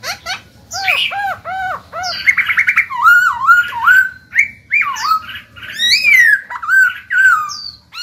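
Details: Caged Black-throated laughingthrush singing to stimulate other birds to sing: a loud, varied run of rich whistled phrases, rising and falling slurs and bouncy repeated notes, with quick changes of pattern throughout.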